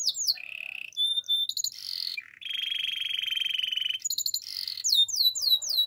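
A Spanish Timbrado canary sings a varied, metallic song: fast buzzy trills and rattling rolls alternate with sweeping whistled notes, all high-pitched and continuous.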